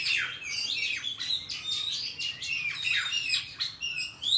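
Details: Wild Oriental magpie-robin forest song, used for training young birds: a dense, varied run of high whistles, slurs and chirps, notes sweeping up and down with little pause.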